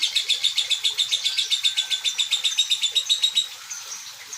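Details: Aged lovebird in song, giving a rapid run of sharp, high chattering notes for over three seconds that then fades into softer, scattered twittering.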